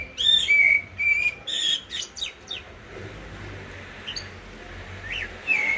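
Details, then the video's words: Common blackbird singing live, with a goldfinch said to be singing as well: bursts of short, high whistled notes mixed with scratchy twitters, then a quieter pause before one more whistle, over faint hiss. "تغريد طائر الجحموم أو الشحرور"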